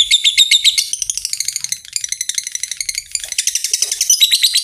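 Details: Lovebird in a long 'ngekek' trilling bout, used as a master recording to coax other lovebirds to sing: dense, rapid, high-pitched chattering notes with a brief softer dip midway before the shrill pulses pick up again.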